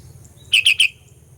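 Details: Sooty-headed bulbul lure song aimed at rival bulbuls: three quick, evenly spaced bright chirping notes in rapid succession over a low droning hum.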